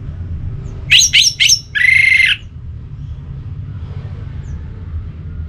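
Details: Orange-headed thrush pacingan song: three sharp, rising chirps in quick order, then a longer harsh, buzzy note, over a constant low background hum.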